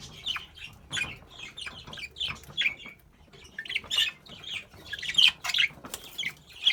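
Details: Several sky blue spangle budgerigars chattering with quick, scratchy chirps and warbles, their calls overlapping.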